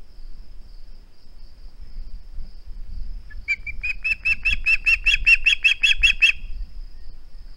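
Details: Osprey on a nest, recorded by a live camera on 21 August 2020 as it resisted handing over its flounder: soft rustling and fluttering first, then a rapid, accelerating run of about a dozen piercing whistled chirps.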